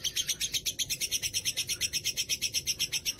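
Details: Ngekek song of a caged lovebird from Rembang, Indonesia, famed for long duration: a continuous chain of piercing, buzzy high chirps, several per second, delivered at an even rhythm.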